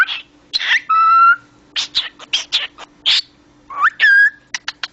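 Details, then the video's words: Cockatiel kept as a talking pet, mixing rasping speech-like chirps with a held flat whistle and a sliding upward whistle. Quick clipped ticks follow near the end, over a low constant background hum. "konuşan papağan sultanpapağanı"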